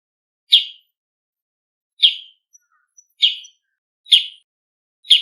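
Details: Bull-headed shrike giving its noisy autumn call, five harsh, scratchy single notes at uneven gaps of about one to one and a half seconds, with an otherwise quiet background.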